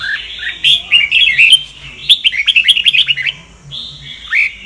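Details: Sông Kon red-whiskered bulbul singing as a training voice for other bulbuls: a rising whistle opens into a fast, bubbling run of clear chirped notes, followed by a few longer slurred whistles.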